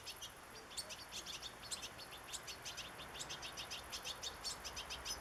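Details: High, tinkling twitter from a European goldfinch in nature: quick bursts of bright chirps running almost without pause, against a mild background hiss.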